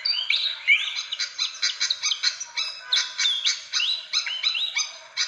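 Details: Lure recording of fantail calls for attracting birds, with rapid bright chips and short rising whistles packed together in busy, uneven bursts and a steady chattering flow.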